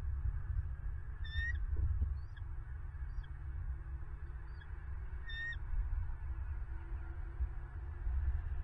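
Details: Bald eagle at a nest with nestlings in Southwest Florida, filmed by a nest camera on 5 February 2023 at 09:24; a few short, squeaky, high calls, the two clearest about four seconds apart, over a steady low rumble of wind.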